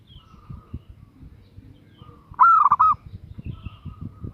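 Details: A female zebra dove calls a male with one brief burst of fast, soft, rolling coos, set against low background thumps.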